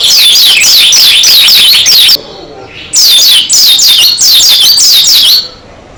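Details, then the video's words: Oriental white-eye, pleci dakun type, singing hard with beak open: dense, loud strings of quick high descending chirps in long bursts separated by a brief pause. "Kicaru Burung Pleci Dakun Gacor Suara Edan Buka Paruh"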